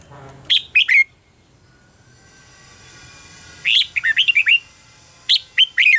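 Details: Red-whiskered bulbul giving contest-style singing for training birds: two short bursts of bright whistled notes sliding down from high to mid pitch, a quiet pause, then a quick run of chirpy whistles and two more near the end.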